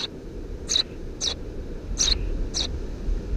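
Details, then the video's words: Under a house roof in June 2017, Eurasian tree sparrow nestlings, three chicks, give five quick high chirps about half a second apart, backed by a steady low droning noise. "Воробей полевой 170506 1 под крышей дома 20170602gp4k 3 чирикающие мордашки"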